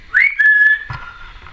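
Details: Captive female Timneh African grey parrot indoors, 2012, giving a clear whistle that sweeps upward, holds steady, then drops to a lower sustained tone before fading.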